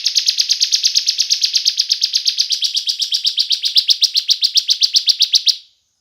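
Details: Bar-winged prinia, likely a kept bird in a 'semi gacor' state, singing as a lure meant to stir other prinias into song: a fast, even series of sharp high buzzy notes, about four per second, for over five seconds, then stopping abruptly.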